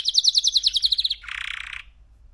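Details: Young male canary, three months old, produces an even rapid high trill lasting about a second, followed by a short buzzy rattle before falling quiet.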